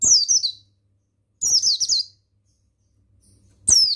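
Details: Tutor song of a male buxtoni mountain white-eye for training captive birds to sing: thin, high, tumbling twitters in three short bursts, each phrase sliding downward quickly, with a low hum beneath.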